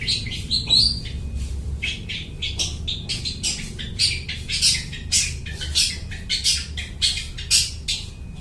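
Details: Harsh, buzzy mimicking song of a long-tailed shrike copying other birds, sung to lure birds for catching; short scratchy bursts repeat quickly and fairly evenly, over a low background hum.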